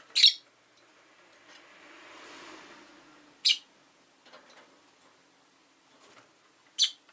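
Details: Rosy-faced lovebird, recorded with city sounds such as engines and bicycles; three short, piercing, high squawks about three and a half seconds apart over a faint background hum.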